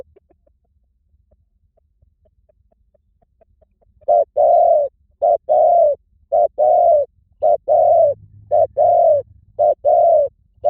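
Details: Spotted dove calling after a near-silent opening: a rapid, regular run of paired coos, each a brief note then a drawn-out mellow one, repeated about every second.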